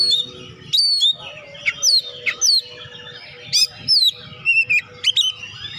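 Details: Oriental magpie-robin song used to stimulate lazy birds into singing, with crisp whistles, sliding notes and short chirp bursts separated by brief pauses over a faint hum.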